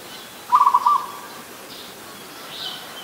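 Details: Single stuttered coo phrase from an adult zebra dove in Ubon Ratchathani, Thailand, 24 December 2020: a quick run of bubbling notes followed by a short trailing note, with soft high bird calls afterward.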